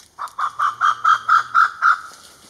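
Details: Grey peacock-pheasant giving a series of eight hollow, even notes about a quarter second apart, steady in pitch, fading at the end.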